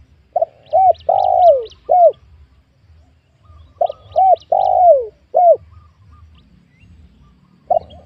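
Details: Spotted doves lured in a young oil palm plantation on newly worked land. Two full coo phrases about four seconds apart: short soft hoots, a drawn-out descending coo, a final hoot. High twittering chirps overhead, start of a third phrase.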